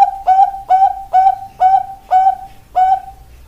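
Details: Ringed Bangkok perkutut, a zebra dove, singing seven evenly spaced, short coos. Each note is a brief bright attack trailing into a steady tone, repeated about every half second.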